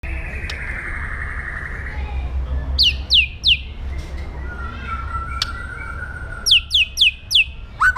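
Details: White-rumped shama singing a fierce, aggressive song for training other birds: sharp, descending whistled sweeps in short bursts around the third and seventh seconds over a steady low hum.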